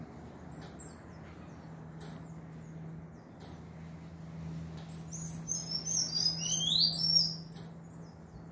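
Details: A young tanager (chick) gives thin, very high squeaky notes, then a rapid, excited burst of slurred chips, over a steady low electrical hum.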